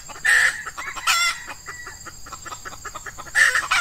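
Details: Lured wild red junglefowl answering an F1 hen decoy in Ramadan, the season when males are eager, early on a hot morning: three sharp, harsh, grating bursts, two close together and one later, amid faint clicking.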